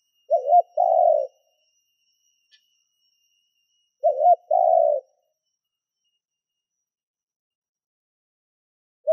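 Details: Spotted dove kept as a decoy to attract other doves, two coo phrases about four seconds apart, a wavering double note then a longer low hoot, with a faint steady high tone behind.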